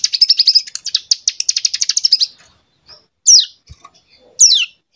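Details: A young prinia just over two months old, tutored with recordings, learns a rapid 'AK47' rattle: a fast, high burst of about twenty sharp notes over two seconds, then two clear, falling whistled sweeps.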